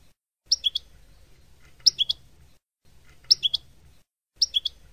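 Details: Goldfinch singing a Palestinian-style song meant for tutoring young birds: brief twittering phrases of two or three sharp notes, repeated about every one and a half seconds, with a faint low hum behind.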